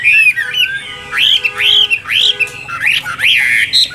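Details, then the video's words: Chinese hwamei giving a series of arched whistles that rise sharply then fall, spaced roughly half a second apart, rich and loud against a quiet background. "Họa Mi Tam Hoàng Miệng Mỏ Như Máy Khâu, Điện Đóm Căng Hót Hét Bài Bản"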